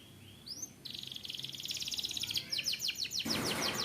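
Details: A short canary song. A rising whistle leads into a steady high buzzing trill, which breaks into quick, rhythmic rolling pulses near the end.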